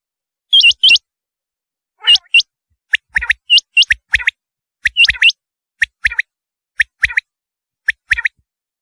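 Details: Rain quail calling: sharp, high, hook-shaped notes, mostly in quick pairs, repeated at irregular intervals of about a second over a silent background.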